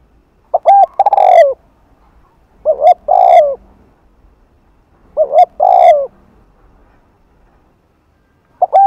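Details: Spotted dove cooing during the afternoon in the Hạp bổi style, used to attract doves: three full phrases about every two seconds, each stuttered notes plus a falling throaty coo, a fourth just beginning at the end.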